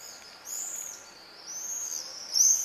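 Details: Common swifts examining nest boxes at Leuven on 4 July 2015, recorded from inside a home: overlapping high, shrill, trilling screams rising and falling, ending in a louder sharp scream.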